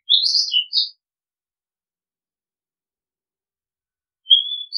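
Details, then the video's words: Oriental magpie-robin giving a short burst of bright, slurred whistles, a long quiet gap, then a drawn-out whistle opening a new phrase at the end. "Oriental Magpie Robin Sound Long play เสียงร้อง นกกางเขนบ้าน"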